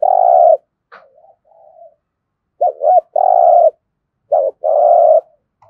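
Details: Lure spotted dove in 'thúc gù' cooing: a long steady hoot, faint soft trailing notes, then two more phrases, each a short quavering double note leading into a drawn-out low coo.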